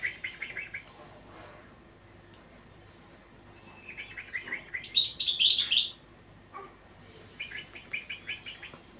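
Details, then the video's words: European goldfinch training song, mostly soft: scattered chirping rows, a loud sparkling burst in the middle, then a steady series of repeated twittering notes. "تغريد الحسون"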